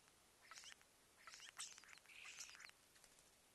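A starling sings a quick, scratchy medley of clicks, rattles and thin high whistles in three short bursts, over quiet background hiss.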